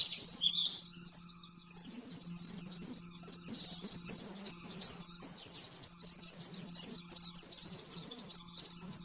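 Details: Caged-bird training recording of oriental white-eye 'nembak-nembak' song: long, rapid run of thin, high twittering and trilled notes, somewhat softer here, over a noticeable low hum and light background hiss.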